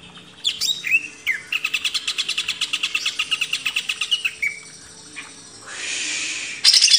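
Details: Greater green leafbird song on a master track for training caged birds: a long, even run of rapid repeated clicky notes between whistled slurs, then a soft hissing stretch.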